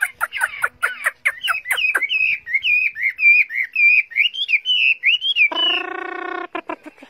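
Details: A tamed Chinese hwamei in a cage opens with rapid sharp clicks, runs into a fast warbled string of twisting whistles, then gives a harsh buzzy note followed by more clicks.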